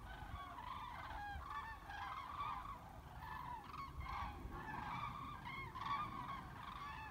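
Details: A flock of common cranes over the Weser in Bremen on 30 October 2016, formations breaking up and re-forming, giving loud, overlapping rolling, bugle-like trumpeting calls overhead, with steady low traffic rumble beneath.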